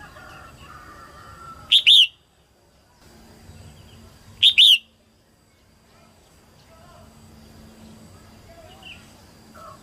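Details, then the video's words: Female red-whiskered bulbul singing early in the 2022 season to stimulate males; two loud, short double-noted whistled phrases about three seconds apart, with quiet background hum. "Tiếng chim Chào mào mái hót kích trống đầu mùa 2022"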